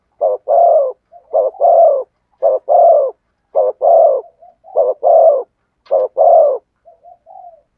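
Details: Spotted dove cooing in the thổ sấm song style: short two-part phrases, a brief clipped note then a longer hoarse coo, repeated about once a second, with soft fainter notes between phrases. The background is quiet.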